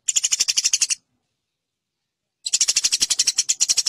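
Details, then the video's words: Fighting chatter of a Eurasian tree sparrow, used as a training master for contest birds: two fast bursts of sharp, high chirps, about a second long each, with a clear gap between them. "Burung greja tarung [| Suara BURGER tarung"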